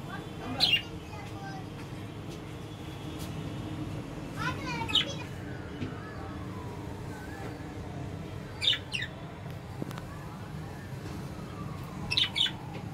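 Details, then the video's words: Pet lovebirds give short, shrill chirps and squawks in brief bursts about every four seconds, over a steady low background hum. "CUTE LOVE BIRDS SOUNDS"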